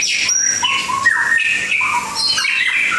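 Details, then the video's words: White-rumped shama from Langkawi singing loud, varied whistled phrases, clear notes sliding between low and high pitches, with a thin high whistle early and richer overlapping notes toward the end. "Burung Murai Batu Langkawi 2"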